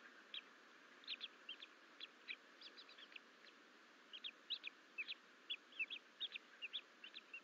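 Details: On 14 April 2024 two Bald Eagle chicks wander from the nest bowl at Fort St Vrain with the mother away, chirping: lively high peeps in runs, a short pause mid-clip, then resuming densely, hiss underneath.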